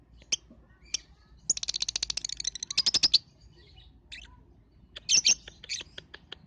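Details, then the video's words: Lovebird sound used as a lure to get other lovebirds, especially balibu youngsters, singing; isolated high chips, a rapid rattling trill of evenly spaced notes, then a burst of loud squeaky chirps and ticks. "Suara Pancingan LB cocok untuk BALIBU"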